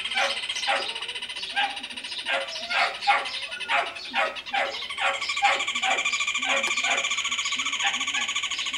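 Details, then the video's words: A rufous hornero, called both builder and singer, in a tree beside a house on a small rural property gives loud, harsh, ringing notes, spaced at first, then running into a fast, steady rattling series. "João-de-barro construtor e cantador"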